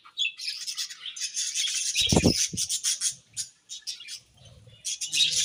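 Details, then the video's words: Budgies in the morning giving a steady stream of high buzzy chirps and warbles, with a low thud around two seconds and softer chatter toward the end. "𝑩𝒖𝒅𝒈𝒊𝒆𝒔 𝑪𝒉𝒊𝒓𝒑𝒊𝒏𝒈 𝑺𝒐𝒖𝒏𝒅𝒔 𝑰𝒏 𝑻𝒉𝒆 𝑴𝒐𝒓𝒏𝒊𝒏𝒈"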